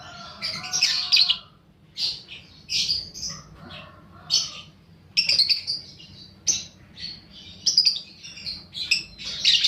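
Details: Young paud fighter lovebird on a lure recording for other lovebirds: a long series of shrill chirps and harsh squawks in irregular bursts about a second apart, high and piercing.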